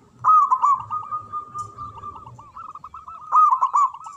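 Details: Local zebra dove with a big voice singing from a high perch, used to stir silent doves into singing: loud rolling cooed phrases at the start and end, with softer cooing from other doves between.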